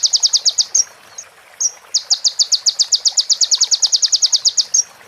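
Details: Sunbird with ciblek and prenjak fill-ins for tutoring other birds: long series of loud, evenly spaced high ticking notes, about six per second, briefly broken by a few thin rising chirps.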